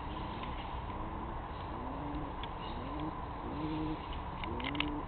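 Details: Pigeon family together after a suspected barn owl attack the night before: soft low cooing notes, short rising-falling phrases repeated every second or so, over a steady background hiss with a few faint clicks.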